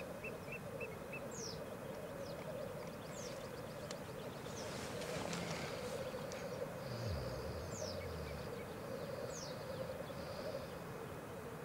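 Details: Black grouse lekking at Elverum in 2008, with 38 males present in total; a steady low bubbling chorus runs throughout, broken by repeated sharp hissing sneeze-like notes high above it, plus a brief low rumble near the seventh second.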